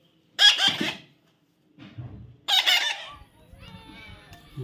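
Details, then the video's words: Young pet parrot during taming, two loud grating squawks about two seconds apart, each short and buzzy, with a person coaxing "come on" and faint rustling between calls. "natural funny parrot sound"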